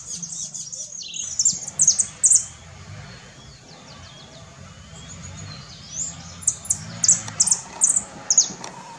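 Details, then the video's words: Saffron finch recorded in Herradura, Formosa: high, thin chirps and short tweets in bursts near the start and again from six seconds on, with fainter sweeping notes between and a low background rumble. "JILGUERO DORADO Saffron Yellow Finch Sicalis flaveola"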